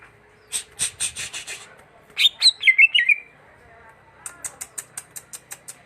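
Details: Greater green leafbird singing a short phrase of twisting, slurred whistles, set between steady runs of dry, evenly spaced clicking notes before and after.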